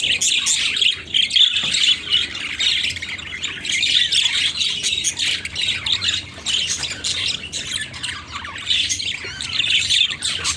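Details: A flock of budgerigars playing with toys chatters non-stop in a busy stream of high, scratchy squawks and chirps.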